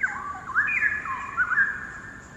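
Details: Wild straw-headed bulbul, one of two perched on a hanging branch at the far end of a quarry in Singapore, sings from a distance, its voice echoing off the quarry walls. Rich, liquid whistled phrases tumble up and down with quick gurgling turns.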